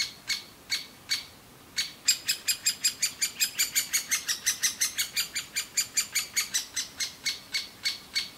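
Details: Begging great spotted woodpecker chicks in an aspen nest cavity, calling without pause as both parents bring food; a few spaced high chirps, then a fast regular series near three per second.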